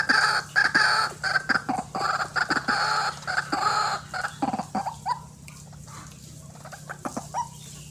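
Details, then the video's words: Calling of a white-breasted waterhen, the ruak-ruak used to lure birds for trapping: harsh, buzzy croaks in quick series, then broken clicks and fading, sparse notes toward the end. "RUAK RUAK GACOR GANAS"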